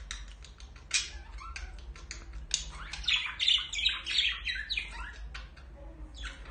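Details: Budgerigars in a mating and courtship display chatter in rapid, scratchy squawks and warbles, about three notes a second, with buzzy bursts; a low indoor hum runs beneath.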